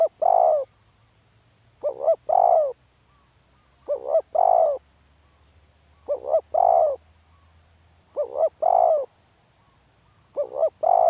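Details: Spotted dove calling over and over, six cooing phrases about two seconds apart, each a quick two-part note and a longer rounded coo, in a quiet setting.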